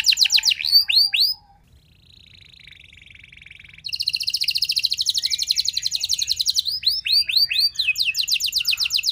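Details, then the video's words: Canary lure song, meant to make other canaries answer quickly and sing long. Clear downslurred whistles, then a soft, low buzzy trill. A loud, rapid, rolling trill follows, then sharp swept notes near the end. "Kenari Mana Saja Bakal Nyaut Cepat Respon Jadi Gacor Nembak Panjang"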